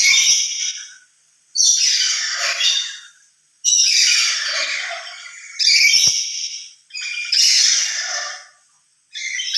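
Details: A lory on its own gives loud emotional calls, louder alone than when with other lories: five harsh, broad screeches, each lasting one to two seconds, separated by short silent gaps.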